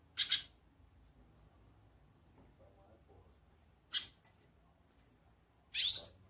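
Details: Goldfinch calling: three short, high, buzzy bursts separated by gaps of roughly four and two seconds, with near silence in between.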